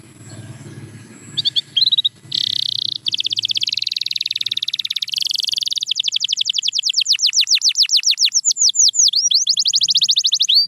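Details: A canary delivers training song for quiet birds. After a few brief chirps over low background rumble come long buzzy trills, then a rapid cascade of sweeping whistles and a steady fast trill.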